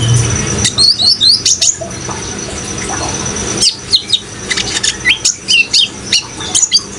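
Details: Kolibri ninja (sunbird) singing for bird-keeping training: brief twittering at first, a pause, then a fast run of high, sharp, repeated chirps, against the sound of running water.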